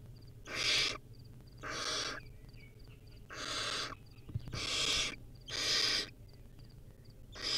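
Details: Wild barn owl chick feeding on a rodent at its nest gives six loud rasping hisses roughly every second, with a brief knock and faint high ticking in between.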